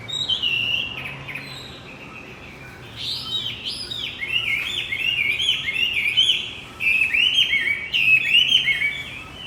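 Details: To coax a male Javan white-eye that stopped singing, a bright high song: rapid tumbling chirps and trills in bursts, pausing briefly, then resuming denser and louder, about four notes per second, low hum faint beneath.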